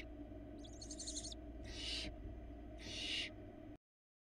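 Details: Barn owl babies begging in a Florida nest box as the mother delivers a rabbit: a fluttering high twittering trill followed by two loud broadband rasping hisses, over low steady hum.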